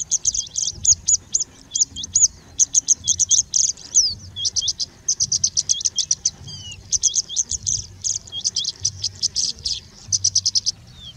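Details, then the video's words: Singing Bushlark in India pouring out song laced with imitations of Indian Robin, Pied Bushchat, Plain Prinia, Common Woodshrike and others. A dense, continuous stream of rapid, very high twittering notes and trills with only brief pauses, over a quiet low hum. "Singing Bushlark singing and mimicking"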